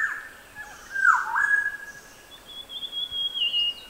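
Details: Maroon oriole singing on Kaker Walk, Nainital, Himalaya: a mellow, fluty whistled phrase that dips and rises, followed by a thin, steady high whistle from another bird.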